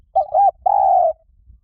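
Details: Spotted dove cooing, meant for drawing in wild doves: two quick soft hooting notes followed by one long, steady, husky coo, nothing else audible.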